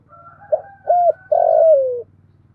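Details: Female spotted dove decoy calling to attract males, 'thổ pha' voice: a brief coo, a rounded coo, then a long drawn coo sliding downward, over a steady low hum.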